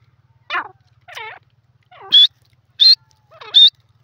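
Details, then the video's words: Francolin, called teetar, giving a harsh rasping note and a wavering squeak, followed by three loud, high, piercing whistled notes about two-thirds of a second apart. "dakni teetar voice call sindhi teeter awaaz"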